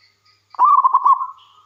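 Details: One phrase of a local wild zebra dove, used as a lure to draw other doves into song: quick bubbling coos rolled together for about half a second, then a soft drawn-out tone fading away.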